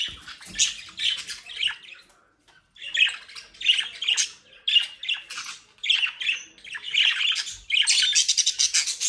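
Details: Budgerigars bred in the Den Haag area, Netherlands, described as mischievous, utter grating squawks in clustered bursts, fall silent for about half a second, then resume with rapid, loud, rattling chatter toward the end.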